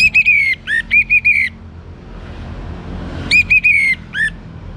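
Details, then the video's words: Young orange-headed thrush singing to coax other birds into song: clear whistled phrases of level notes ending in a long down-slurred whistle, plus a lower separate note, repeated twice with a quiet gap between. "ANIS MERAH Muda Gacor Untuk Pemancing Burung Berani Berkicau"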